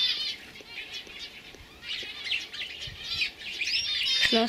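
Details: Young canaries from 2015, warbling in a mix of chirps and short trills, with one clear whistled note rising and falling near the end; faint clicks and a hum in the background.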